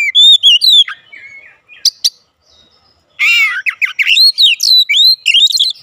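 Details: Oriental magpie-robin in open, vigorous 'ngeplong gacor' singing meant to provoke replies from household birds: rich whistled phrases, a quiet gap, then a harsh buzzy burst followed by rapid varied slurred whistles.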